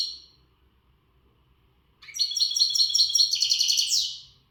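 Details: European goldfinch, western type and untutored, sings a bright, fast run of tinkling, buzzy high notes lasting about two seconds after a short silent gap, in full readiness song before breeding.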